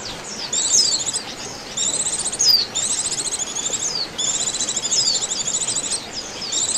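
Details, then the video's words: Oriental white-eyes recorded as a trapping lure, giving continuous high buzzy trilled chatter in overlapping bursts, broken by a few quick falling whistles, with soft steady noise underneath. "SUARA PIKAT BURUNG PLECI"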